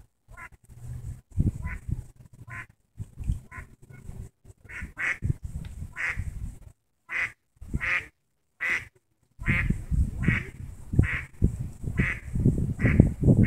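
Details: Ducks with several ducklings in St Petersburg, Florida, quacking as a swimming dog draws closer: short, harsh, nasal quacks come in irregular bursts, some closely bunched, over low rumbling splashes and wind.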